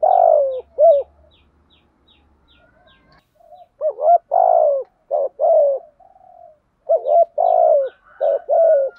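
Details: Spotted dove giving its call-and-challenge coo: repeated mid-pitched phrases of clipped double notes and a longer descending coo, with a pause near the start where faint high ticks and a low hum sound.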